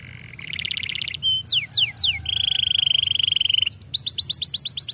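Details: Canary in varied song: short buzzy rolls, a few swooping whistles, a long steady high trill of rapidly repeated notes, then a closing series of quick descending whistled notes.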